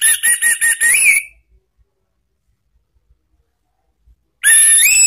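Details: Orange-headed thrush song in the ngeplong and ngeriwik styles, played as a lure for caged birds. Five quick sharp whistled notes end in a rising slur. Silence follows, then a strong rising whistled phrase returns.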